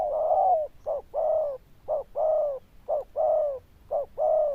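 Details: Zebra dove noted for its loud bell-toned voice, cooing steadily in short-then-long pairs about once a second, clean and uninterrupted.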